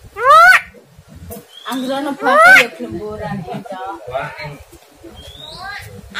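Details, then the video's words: Starling lure sound meant to provoke a lazy, seldom-singing caged starling into its fighting voice: two loud, harsh rising harmonic sweeps, then softer scratchy chatter notes, over a steady low hum. "pancingan jalak kurang rajin dan gacor serta volume krg kenceng"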